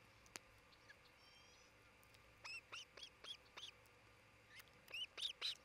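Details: Nesting osprey in Charlo, Montana, caught by a nest camera on 27 June 2018 near midday. After a quiet start, a rapid series of high, upslurred whistles repeats about twice a second, then breaks off.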